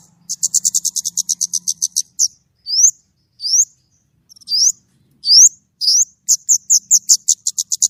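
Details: White-rumped shama singing gacor nembak with a clear voice: a fast run of about twenty high chips, then sharp upslurred whistles spaced about a second apart, ending in another rapid chip series.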